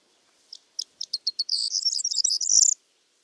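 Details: Corn bunting song: a handful of separate dry, high ticks that speed up over about a second, then run into a dense, jangling, glassy rattle lasting over a second before stopping abruptly; quiet background.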